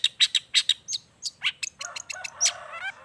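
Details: Long-tailed shrike singing with wild-bird mimicry, used to coax lazy shrikes into song; a quick series of sharp high chirps followed by varied whistles, a down-slurred note and a rattling trill.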